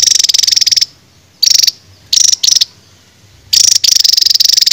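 A songbird delivers rapid, high-pitched buzzy trills in bursts of about half a second to a second, with brief silent pauses between them.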